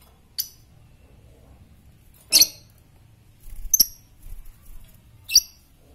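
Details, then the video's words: Lovebird of the fighter type, used as a master bird to stimulate others, uttering sharp isolated high chirps spaced a second or two apart over a quiet indoor background. "lovebird fighter ngetik merangsang ngekekk"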